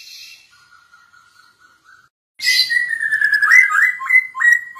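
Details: Masked laughingthrush (poksay hongkong), sung for use as a lure to train other birds: a faint level whistle, a brief silence, then loud repeated rising whistled notes with harsh, buzzy overtones at a quick, uneven pace.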